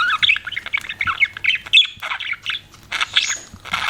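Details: Budgerigars giving quick, squeaky chirps and grating warble notes in choppy bursts, including a few clear short whistles, over a quiet background.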